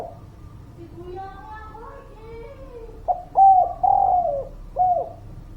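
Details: Spotted dove lure song meant to make reluctant birds sing: after soft background chirps from other birds, loud hollow coos begin near the midpoint, with a short note, a longer drawn-out coo and a falling final note.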